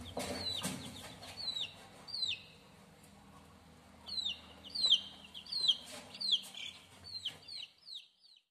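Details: Fourteen-day-old chicken chicks peeping: high, thin, downward-sliding cheeps in irregular bursts, clustering in quick runs toward the end, with a low background hum beneath and a brief rustle early on.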